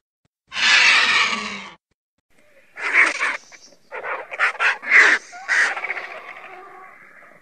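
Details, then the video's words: Griffon vulture (Gyps fulvus): a long, harsh, broadband hiss, a short silence, then a run of rasping, cackling bursts of uneven loudness that trail off into a softer, drawn-out rasp. "Sęp. Odgłosy Sępa. Dźwięki jakie wydają Sępy"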